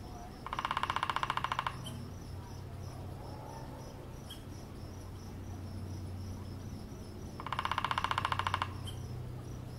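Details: Woodpecker drumming in Sand Dunes State Park, Minnesota, heard while tent camping: two rapid, even bursts of knocks, each about a second long, separated by a gap, over a low rumbling background.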